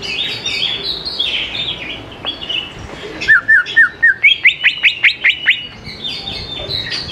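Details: Greater green leafbird singing as a lure for young birds: varied warbled phrases, then a run of short slurred notes and a quick burst of sharp repeated chips, with a steady background hiss.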